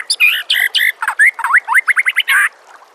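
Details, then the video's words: White-rumped shama master song for training birds: a dense, lively burst of varied warbled notes and quick rising slurs, ending in a short harsh phrase. "SEKETIKA PASTI NYAUT dan GACOR bila murai batu anda dengar suara MASTERAN burung seperti ini"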